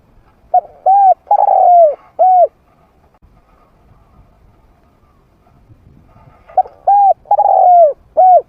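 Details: Spotted dove trained as a lure for wild doves, with a mid-pitched voice: two full phrases of a short note, a rounded coo, a long falling coo and a final coo, separated by a quiet gap.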